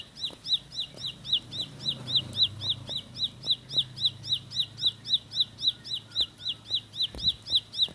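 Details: Bar-winged prinia, ciblek sawah, singing its speedy rolled song without pause: crisp, high, hooked notes repeated regularly at close to four per second, with faint low rumble beneath.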